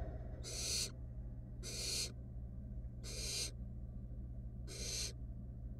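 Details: Wild barn owl chicks in a nest box, one taking a rat its sibling could not swallow; four long rasping hiss-screeches spaced over a second apart, low electrical hum underneath.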